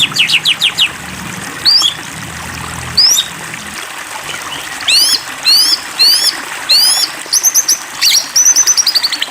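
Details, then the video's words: White-rumped shama (Copsychus malabaricus) provoked to sing: sharp rising whistles and crisp repeated notes in short bursts, with a low background rumble fading out early. "Pancingan Murai Batu !! Terbukti Ampuh Memancing EMOSI Murai Batu Agar Bunyi Gacor !!"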